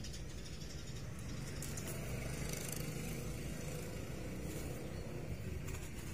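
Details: Steady low engine rumble of passing traffic fills the recording, with faint rattles and no animal voice.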